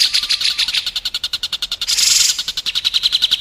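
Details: White-rumped shama training recording for contest birds: rapid, evenly pulsed chip notes, a brief loud rushing burst, then the quick ticking series resumes with steady rhythm.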